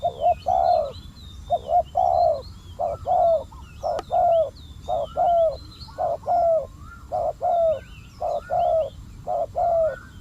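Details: Spotted doves in a decoy-trapping session, the wild bird described as unusually fierce, cooing rapidly and almost continuously in mellow, slightly descending notes about once a second, with faint high chirps of other birds behind.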